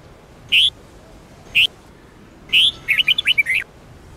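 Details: Red-whiskered bulbul, Sông Kôn song used daily for training: two separate short whistled notes a second apart, then a fuller phrase of rapid bouncing whistles rising and falling, clear against a quiet background.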